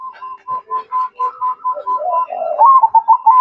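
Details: Zebra dove, Mocca line, in full song: a steady series of short hollow coo notes about four per second, building into a longer rolling, slightly rising phrase that ends in quick clipped notes.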